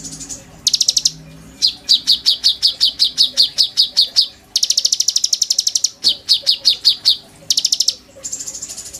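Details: Oriental magpie-robin singing its full repertoire of mimicked filler phrases, used as a training master for a young sunbird: brief high trills, a long run of repeated downslurred chips, then a rapid rattle and more chips.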